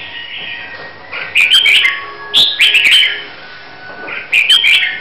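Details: Red-whiskered bulbul from Huế, Vietnam, singing while being prepared for a singing competition; bright warbled phrases in bursts, with sharp clicks and a hissy background.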